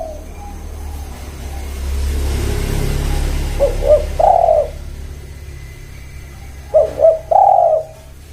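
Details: Spotted dove cooing in two phrases, each a pair of quick short notes followed by a longer, rounded purring coo. A steady low rumble, like a passing vehicle, runs underneath.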